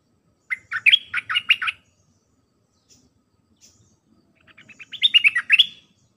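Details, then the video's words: Dense dok-style song of a caged Red-whiskered bulbul, played to teach hand-fed and young wild-caught birds. Two rapid runs of bright, jerky chirped notes with a quiet gap between them. "เสียงนกดอกแตงEp.129เปิดหัดลูกป้อน/ลูกเสอ เพลงแน่นๆ สับดอกล้วนๆ"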